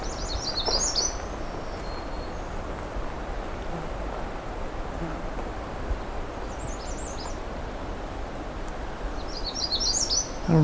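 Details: Magnolia Warbler singing close by in the afternoon among tall jack pines and black spruce near Pine Tree Harbour, giving three short, sweet, high warbled phrases about three to four seconds apart, over steady low rumbling wind or handling noise.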